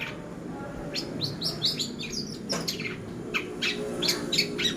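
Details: Pastol-style long-tailed shrike lure for training: short sharp chirps and rising squeaky notes, irregular and fairly quick, over faint low hum.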